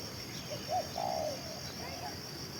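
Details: Spotted dove used as a lure, said to keep cooing for two hours, delivering a quick low note and then a longer wavering coo, while a shrill steady insect drone runs throughout.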